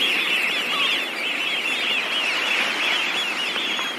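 A dense flock of Eurasian Wigeon gives high, overlapping whistled calls that merge into a steady, shimmering chorus with no break.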